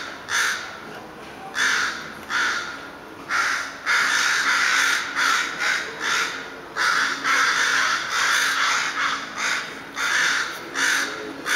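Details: Repeated coarse caws from crows or ravens, about one or more each second in irregular clusters. Some notes are clipped and some longer, giving a ragged rhythm through the stretch.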